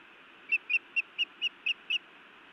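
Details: Feisty female osprey scolding her mate at their nest, Montana, 31 May 2017, 19:49: seven sharp, piercing whistled chirps, roughly four per second, each short and bright.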